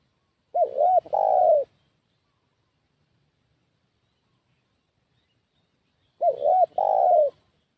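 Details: Decoy spotted dove calling to draw wild doves, which fly up seeking the decoy's position: two identical loud phrases about five seconds apart, each a quick wavering double coo then a longer, throaty falling coo, silence between.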